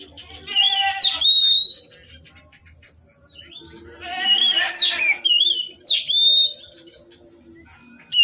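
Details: Oriental magpie-robin, singing from afternoon until dark: separate phrases of whistles blended with harsher, buzzy notes, the phrases set apart by quiet gaps of about two seconds, against a constant high hiss.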